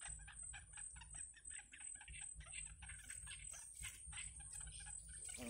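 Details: In a wild nest, yellow bittern young being fed by the mother give quick, rasping clicks in steady rows, ending in a louder burst, over a persistent hiss.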